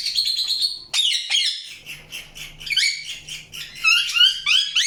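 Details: Indian ringneck parakeet calling with a long raspy screech, then rapid scratchy chatter and bright arching chirps that repeat quickly toward the end, with a faint low hum behind.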